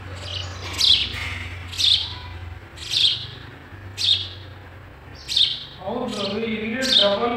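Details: Sparrows feeding their chicks in a nest: bright, high cheeps come about once a second. Near the end, a lower, harmonic-rich voice joins them, and a faint low hum sits underneath.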